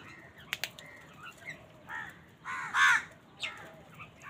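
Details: Many crows calling on a winter morning, said to be fighting over food: a few hoarse, harsh caws scattered through the clip with short clicks and low background rumble.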